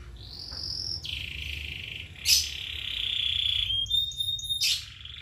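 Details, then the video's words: Songbird giving long, steady whistled notes that jump between pitch levels, with a short sharp burst in the middle and brief higher tones near the end, over a low background rumble. "kicauan burung"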